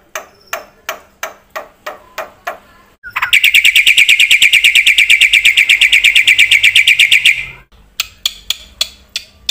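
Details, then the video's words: Black-winged myna in energetic 'gacor full isian' song for luring and training birds: spaced sharp clicking notes, then a long, dense run of rapid chattering notes lasting about four seconds, then clicks again. "suara burung jalak putih gacor full isian ini JUARANYA untuk pancingan dan masteran"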